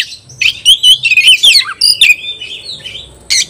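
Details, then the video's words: Competing Oriental magpie-robin delivers a quick jumble of warbled whistles and harsh chips, then a few drawn-out faint whistles and a final sharp note. "kacer gacor ngobra KONSLET nembak lawan tarung paling enjoy"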